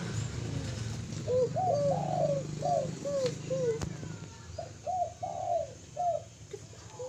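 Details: Spotted dove singing repeated hollow coo phrases, short notes around a longer drawn coo, given in two bouts with a low rumbling background.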